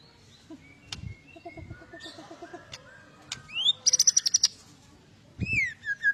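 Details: White-rumped shama, agitated fighter used to provoke other birds, giving soft low warbled notes, then a high descending whistle, a fast sharp rattle and further falling whistles.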